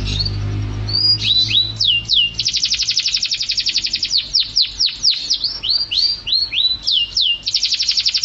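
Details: Canary song serving as training audio for songbirds: a short whistle, then fast dense trills and series of falling high notes in varied phrases, bright and continuous, with faint low hum early on.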